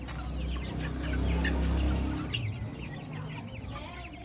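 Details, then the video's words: Organic chicks roaming an open field peep in quick, scattered high notes, softer than a loud low rumble that swells and fades in the background. "Organic chicks in open field"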